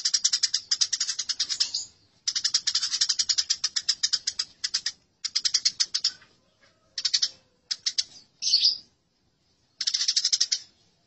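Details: Eurasian tree sparrows (burung gereja) fighting, a recording meant for training songbirds: rapid, dense bursts of high, harsh chirps in long runs of about two seconds, broken by short pauses and brief single outbursts.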